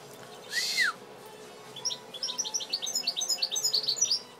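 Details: Captive-bred European goldfinch, hatched the previous year, singing: one loud rising-falling whistled note, then a rapid run of bright, high, tinkling twittered notes.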